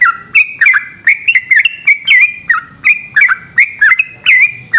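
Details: Yellow-vented bulbul night song in the long 'ropel' style, Indonesia: rapid, rich whistles that flick up and then slur down, delivered in tight clusters with short gaps, against a quiet background.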